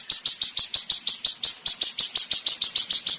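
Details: Song of a Van Hasselt's sunbird, recorded for tutoring caged birds: a steady run of high, sharp, slightly descending chip notes, about three every second, continuing evenly throughout.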